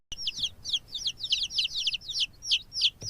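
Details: Chick of a domestic chicken peeping nonstop: high, thin, downward-sliding peeps, roughly three per second, bright and evenly loud with short gaps, over a quiet low background hum.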